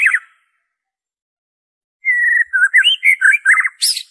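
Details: Pure white-rumped shama song without imitations, played to get caged birds singing and to attract wild birds: a pause, then a long steady whistle that breaks into rapid varied chirps and warbles.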